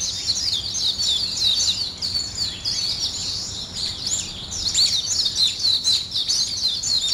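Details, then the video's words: Birds waking up in the morning, a busy high-pitched twittering chorus with rapid overlapping chirps and short trills, steady throughout. "아침을 깨우는 새소리 2 ,Birds wake up in the morning 2"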